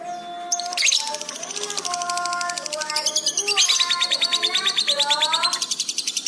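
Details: Lovebird in full song with heightened excitement, used to train pet birds: a fast, rattling stream of high, buzzy notes building in strength, over lower, gliding whistled tones.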